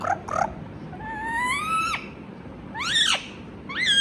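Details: Indian ringneck parrot, kept as a talking bird, giving two short rough notes, then a long gradually rising tone lasting almost a second, followed by a steep falling call and a brief upward note.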